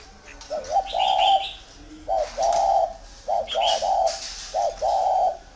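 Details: Spotted dove, a tame bird from a Ba Vi dove farm in northern Vietnam, cooing in clipped two- and three-part phrases, each a quick lead-in note before a sustained hoarse coo, with some higher chirping behind.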